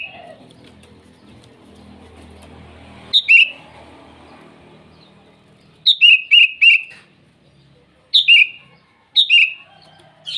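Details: Sooty-headed bulbul calling to rivals in the morning over a low background hum: bright falling whistles, a rapid string of four repeated notes, then two more quick descending phrases.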